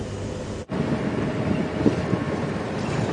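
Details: Steady loud rumble of a moving vehicle with heavy wind buffeting the microphone on a sunrise safari drive, briefly cut by a momentary dropout, with no animal calls.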